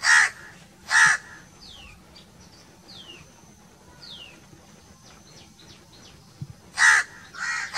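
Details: Crow caws in pairs, two at the start and two at the end, with thin descending whistled notes from other birds in between and a steady faint high tone behind.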